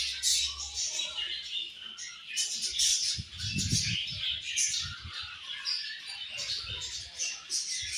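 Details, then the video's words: Budgerigar colony at feeding time in the morning: dense high chirping and chattering throughout, with a burst of low knocking and rustling in the middle. "Budgies Morning Food And Chirping Sounds"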